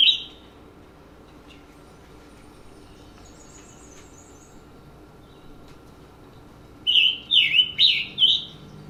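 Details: Scarlet Tanager song: after a long quiet stretch with one brief opening note, a quick run of about five hoarse, burry, high-pitched, evenly spaced notes, like a robin but more burry.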